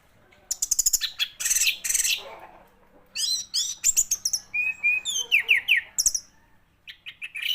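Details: Orange-headed thrush song opens with a rapid run of very high, clicking notes, followed by a string of varied whistled phrases, some sliding up and some sliding down.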